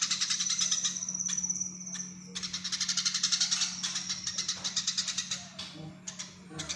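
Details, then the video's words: Chatty tame Eurasian tree sparrow giving rough rapid-fire bursts of high buzzy chirps, several runs in succession over a steady low hum in the background. "Burung Gereja Gacor Jinak Tembakan Kasar"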